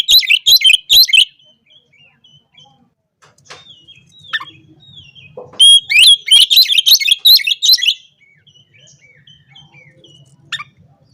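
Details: Oriental magpie-robin, a bird whose song provokes rivals and calls opponents, in the morning; loud bursts of fast, rich, varied phrases alternate with quieter scattered whistles and soft notes over a faint low hum.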